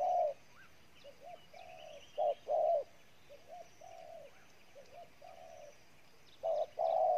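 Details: A wild-caught spotted dove coos intensely. Loud, low coos come at the start, middle and end, with softer murmured coo phrases between them and faint chirps higher up.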